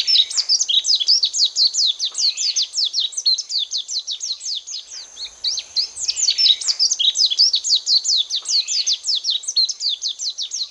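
Lowland white-eyes chatter in a fast, unbroken stream of thin, high, downslurred chips, several birds calling over one another with no pause.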